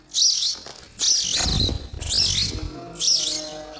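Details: Baby sparrows waiting for their mother and father to feed them: four loud bursts of shrill, high chirping about a second apart, with some low rumbling between them.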